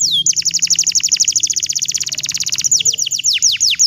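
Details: A singing bottle-green canary, used to train young canaries to sing. After an opening upslur comes a long, very fast, even trill of high descending notes, then a few slower, drawn-out falling whistles.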